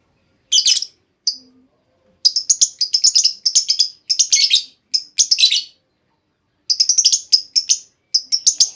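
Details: Female lovebird call used to lure another lovebird into long trilling: repeated bursts of fast, shrill, stuttering chatter separated by brief pauses.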